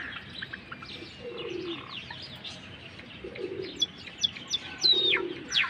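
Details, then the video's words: Java sparrow calling: thin high chirps at first, then a burst of sharp, steeply falling chip notes near the end, over steady background noise and soft low cooing from doves. "Java Finch voice"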